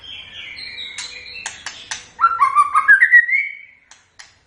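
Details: White-rumped shama singing: soft, thin, high whistles and clicks, then a loud run of warbled, rising and falling whistled notes that ends in a long sweeping note.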